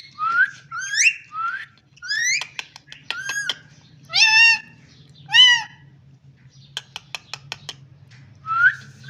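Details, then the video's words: Rising whistled notes and squawky syllables from a parrot, interspersed with sharp clicks, over a steady low hum; calls come in separate short phrases about every second. "Amazing parrot talking and voice"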